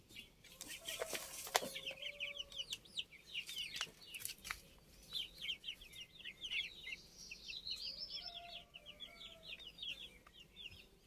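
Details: Chorus of older chicks, recorded 29 June: dense, repeated high cheeping notes in quick overlapping runs, with occasional brief lower tones, a few sharp clicks or taps, and a quiet background.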